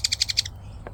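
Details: A pet Pacific parrotlet, seeing something outside as a potential threat, gives an alarm call while flaring its tail: five quick, harsh, high chips in under half a second, then one faint later note.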